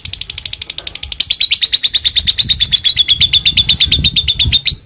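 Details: Fighter lovebird calling out rivals with ngetik and long ngekek singing: fast high ticking notes for about a second, then a sustained, even, rapid chatter of sharp high chips, roughly eight per second, running unbroken to the end.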